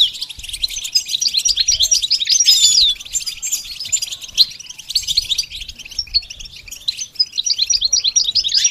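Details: Goldfinch singing as part of training a bird to sing: continuous high twittering with quick chirps and liquid slurred notes, some rising whistles, and short trills woven through without pause.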